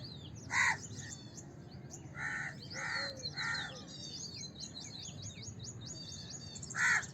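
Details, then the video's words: House crow calling with harsh caws, one early, a pair of rougher calls mid-clip and one at the end, over continuous high chirping of small birds and a low background hum. "House Crow Sound! House Crow Sound Effect! House Crow Call! Crow Sound! Crow Call"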